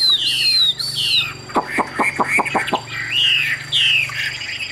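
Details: Chinese hwamei, a captive bird in Vietnam, gives long, clear descending whistles, then a row of about six sharp knocking clicks, then more slurred whistled notes.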